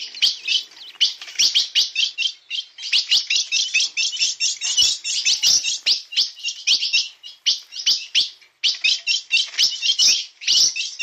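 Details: Blue-black grosbeak of the type called 'bico de aço', singing 'na pegada': a fast, dense stream of bright chirps and warbled notes in rapid bursts, with only brief pauses between phrases.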